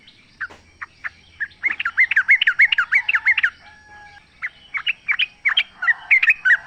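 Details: Wild sooty-headed bulbul in the open: a steady run of short, curling whistled notes, about three per second, broken by a brief pause before the chattering resumes.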